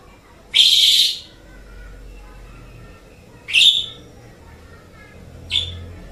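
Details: Asian pied starling kept as a pet songbird, training audio: a long harsh screechy phrase, then two shorter sharp rasping notes spaced about two seconds apart, with quiet between.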